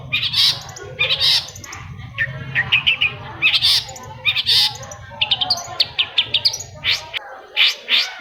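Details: Long-tailed shrike singing, meant to stir a stalled shrike into song: harsh buzzy bursts alternate with fast clicking trills and clear short whistles. A low droning hum runs underneath until near the end.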